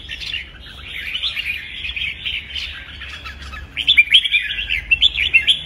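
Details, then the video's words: Red-whiskered bulbul singing an energetic 'kích bổi' fighting-song training track; softer continuous warbling builds into louder, crisp chirped phrases during the final two seconds. "Chào Mào Hót Kích Bổi Căng Lửa, Luyện Chào Mào Hót Đấu Căng"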